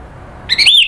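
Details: Orange-headed thrush, kept as a cage bird in Indonesia, provoked into excited calling; one harsh, buzzy squawk sliding downward, brief and loud.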